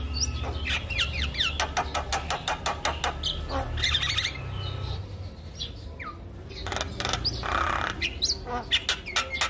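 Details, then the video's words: Javan myna song meant to stir silent mynas into singing: fast dry clicking rattles mixed with descending squeaky whistles, harsh bursts recurring throughout. "Kicauan Jalak Kebo Untuk Memancing Burung Jalak Macet Bunyi"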